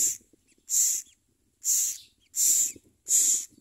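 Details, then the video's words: Common myna at a nest, adults bringing food to the chicks; loud harsh hissing bursts, each about a third of a second long, repeated roughly every three quarters of a second with short gaps of silence between them. "Common myna Birds bring food for babies to eat"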